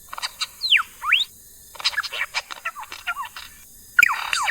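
A lyrebird runs through a varied medley of loud whistles: steep downward and upward swoops, quick chattering notes, then more sweeping whistles after a brief pause.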